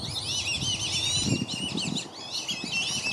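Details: Black-bellied whistling ducks at Circle B Bar Reserve, Lakeland, Florida, parents guarding five young from dozens of intruding ducks; a dense chorus of high, wavering whistles overlaps throughout, with low splashing and wing flapping beneath.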